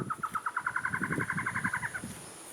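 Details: A Black-headed Trogon near La Fortuna, Costa Rica, gives about twenty short, hollow mid-pitched notes speeding up slightly over two seconds, with a soft low murmur beneath; these calls answer each other or territorial intruders.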